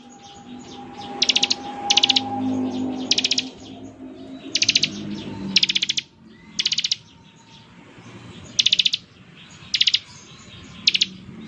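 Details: Ngebren-style song of a Bar-winged prinia: short high buzzy bursts of rapid pulses, each about half a second long and spaced irregularly over low background noise.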